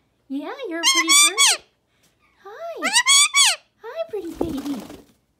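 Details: A male Indian ringneck (rose-ringed parakeet) roaming the halls of a parrot rescue sanctuary gives three nasal, warbling, voice-like chattering bursts about a second apart, the last ending in a harsh squawk, in a small indoor room.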